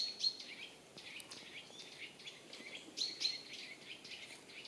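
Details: Wild birds calling in Wyre Forest woodland, Worcestershire, England, in autumn 2016: faint high thin notes and short chirps scattered over soft steady background hiss, with a couple of clearer whistled calls.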